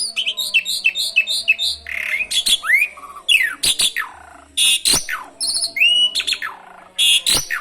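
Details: Energetic Asian pied starling song carrying canary imitations, used to prompt other birds to sing. A quick run of repeated whistled notes gives way to buzzy squawks, downslurred whistles and sharp chattering phrases.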